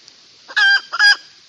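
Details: Hen calling for a male: two loud, nasal, ringing 'ka-taak' notes in quick succession over a faint steady background hiss.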